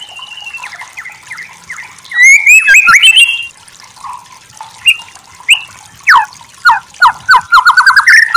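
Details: White-rumped shama (murai batu) in a masteran recording: a sustained whistle and quick chattering phrases, then scattered short sharp notes and a closing run of rapid slurred whistles, with softer chirps between.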